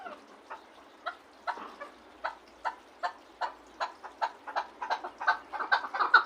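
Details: Chukar partridge at Gharm giving soft, widely spaced chuk notes that come closer together and grow louder toward the end.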